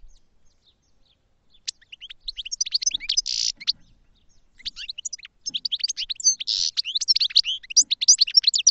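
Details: Goldfinch twittering song in two long phrases separated by a short pause. Each phrase is a fast jumble of high, liquid chirps and slurred notes with a harsh buzzy rasp mixed in. The background is clean.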